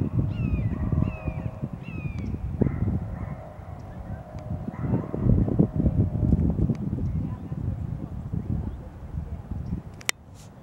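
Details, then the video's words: Red-shouldered hawk calling on 8 February 2023: three quick, high, downslurred screams in the first two seconds, then fainter drawn-out cries, over steady low rumbling wind or traffic. "red shoulderd hawk calls"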